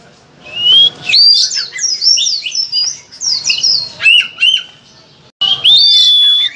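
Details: An Oriental magpie-robin (kacer) sings loud, varied phrases used to prompt other kacers to sing. A rising whistle leads into jumbled chirps and slurred notes, then a short gap before a long, clear, steady whistle.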